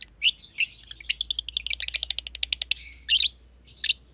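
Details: Green and pied green masked lovebirds, friends sharing an aviary, chirp together. A few shrill squeaks lead into a fast, even run of clicking chips, then two harsh closing notes and a low indoor hum.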